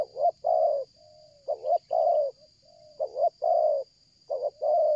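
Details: Spotted dove calling continuously for luring, in a stuttering style: short doubled notes then long warm coos, four phrases linked by faint soft drawn-out coos, over an unbroken high-pitched electronic whine.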